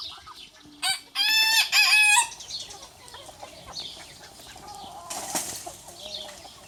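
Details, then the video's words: A troublemaker rooster facing a bigger rival, out to challenge or mate, gives a single loud, rich crow lasting just over a second, rising then held; afterward, softer background clucking and a brief rustle. "The Rooster Troublemaker - Small Rooster vs Big Rooster - Funny Chicken Sounds"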